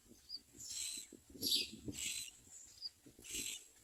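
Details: Hungry young mynas calling for food as they are fed: a series of rough, breathy, high-pitched rasps in short bursts roughly every half second, with soft background shuffling.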